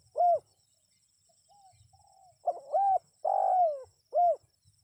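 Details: Wild-bird lure call of a spotted dove: a single loud coo, a few quiet soft notes, then a rapid phrase of short, long and clipped hollow coos ending with one more firm coo.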